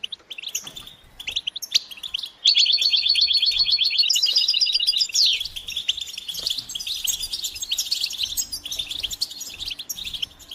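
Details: European goldfinch stimulation chorus: scattered chirps, then a loud fast trill of about two seconds ending in a quick downward sweep, followed by continuous jingling twitter.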